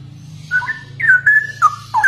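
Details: A short phrase of mellow, drawn-out whistles from a straw-headed bulbul (cucak rowo), the notes sliding downward one after another over a faint low hum.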